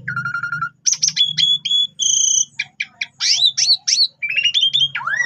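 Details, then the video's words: Asian pied starling, called jalak suren, singing a lure song: a level whistle, then crackling bursts, clear piping notes, upslurred whistles and a final falling slur, with a low background hum. "Cukup 3 Menit Saja Jalak Suren Bakal Nyaut Dan Ikut Gacor Dengan Pancingan Jalak Suren Ini"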